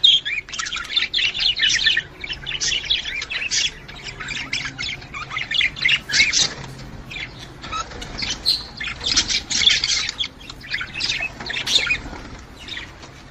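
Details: Budgerigar chatter meant to prompt a female budgerigar to breed: long run of scratchy, twittering warbles and clicks in clustered bursts, quieter stretches between livelier phrases.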